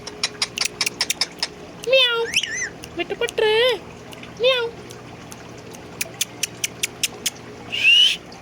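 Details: Indian ringneck parakeet kept as a pet, in a happy mood, talking, whistling and imitating a cat's meow; rising wavering meow-like notes around two and four seconds, a high squeal near the end, among sharp clicks and speech-like chatter.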